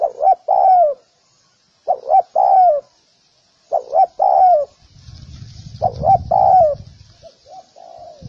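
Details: Spotted dove calling, a training sound: four phrases of two short coos and a falling longer coo, then softer notes at the end; a low rumbling noise rises in the second half.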